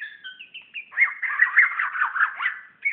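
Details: A magpie-robin in Brunei, 2013, singing toward its reflection. A high whistled opening gives way to a quick, bubbling series of warbled notes rising and falling rhythmically, then a final whistle.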